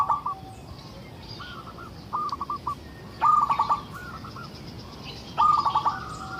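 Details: Local zebra dove in full song, used as a lure to draw other zebra doves into singing: soft stuttering coo phrases, then two loud rapid trilled phrases of clipped notes, separated by pauses of about two seconds.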